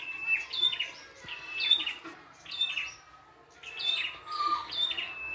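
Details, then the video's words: Untamed red-headed prinia pours out a varied song: clusters of sharp chirps and high whistles roughly every second, with a soft lower trill between some phrases. "PRENJAK KEPALA MERAH GOCOR FULL ISIAN"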